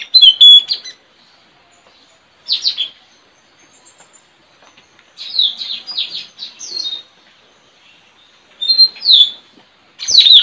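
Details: Caged decoy Straw-headed bulbuls trained to lure wild birds, in a singing contest with a friend's bird in front of a village house on 4 April 2021; bursts of high, sweeping, descending whistled notes in three phrases separated by pauses.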